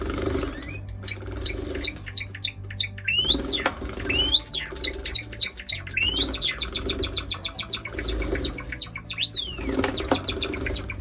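A Java sparrow gives quick runs of high, clicking notes broken by sharp rising whistles, repeated in short bursts, over a low indoor hum and some rustling.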